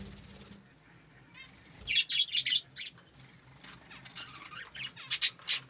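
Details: Budgerigars in a small aviary chattering. After a quiet start, bursts of bright, scratchy, high warbling notes come in quick uneven clusters and grow louder toward the end.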